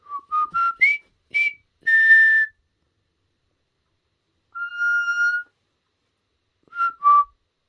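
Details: Caged pet common hill myna practising the River Kwai March: quick whistled notes climbing in pitch and a sustained whistle, then silence, one longer level whistle and two final short notes.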